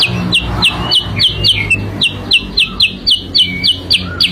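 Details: Sooty-headed bulbul song used as a lure: a fast, regular run of high, clipped chirps, roughly three to four per second, with an occasional lower whistled note mixed in against a faint hum.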